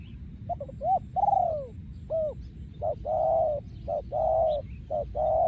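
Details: Spotted dove, a breeding male, delivering yon khu ang style song: soft coos of varied length, some arched and falling, later a run of short notes alternating with long level coos, against low background noise.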